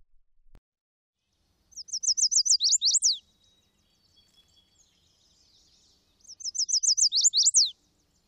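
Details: Chestnut-sided Warbler in young shrubby woodland habitat in Vermont, singing twice: a quick run of five or six high, sweet notes ending in two emphatic down-slurred notes, like 'please please please to meet you'.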